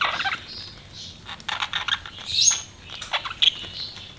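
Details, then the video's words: Budgies giving scattered short chirps and scratchy squawks, with brief bursts of clicky chatter and a few thin whistled notes spread across four seconds. "BUDGIES CHIRPING SOUND"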